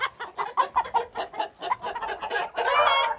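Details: Hint roosters: a run of short, rapid clucking notes for over two seconds, then a brief harsh crow starting near the end.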